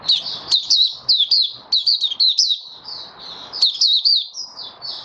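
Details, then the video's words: White-eye in its opening song session dated 08012022: bright, high twittering bursts of quick slurred chirps, repeated in short phrases with brief pauses, faint low noise underneath. "Mata Puteh Raja Stablizing his form buka sing"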